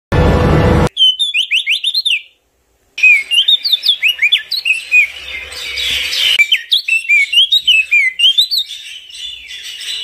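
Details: Crested white-eye singing a fast, varied stream of clear, slurred whistles with rising and falling notes, after a brief burst of loud noise at the start.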